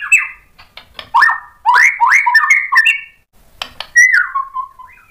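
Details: Agitated white-rumped shama answering provocation with vigorous song: separate loud whistled phrases, some rising and some falling, mixed with sharp ticks and a drawn-out descending whistle near the end.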